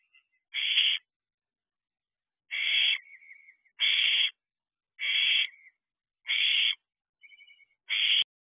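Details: Barn owl owlet, wild, in a nest box before dawn at 4:01 am on 6/7/23; a steady series of seven rasping hissed screeches, roughly one every second, with soft wavering chirps between some.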